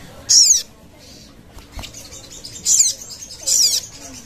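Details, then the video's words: Sogon lure call heard as three short, loud bursts of very high, rapidly modulated chirping separated by quiet gaps. "Sogon cepat nyaut dengar suara ini"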